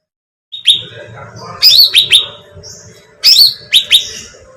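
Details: Bait sound of a bulbul for luring birds: clear whistled downslurred notes given singly and in pairs, with sharp high chips at the start of each, separated by quiet gaps and faint background murmur.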